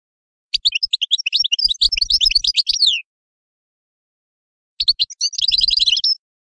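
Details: Two bursts of goldfinch song: a longer tinkling twitter of about two and a half seconds, a pause, then a shorter buzzy, chattering phrase.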